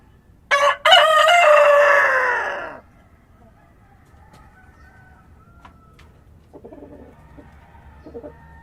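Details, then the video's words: Dawn crow of a rooster in a rural farm setting: a sharp opening note, then a long, rich, slightly falling crow of about two seconds, with faint, distant clucks and calls after it against quiet background. "Rooster Crowing at Dawn (1 Hour) | Sonido de Gallo Cantando al Amanecer"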